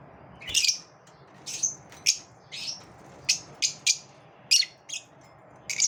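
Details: Lovebirds having a competitive moment, calling with bright high chirps spaced about half a second apart, some in quick pairs, over a quiet indoor background.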